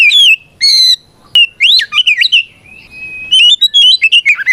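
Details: Fighting song from an Oriental magpie-robin, meant to make rivals respond: a descending whistle, a buzzy burst, a sharp click, then a tumbling series of varied whistled and rising notes.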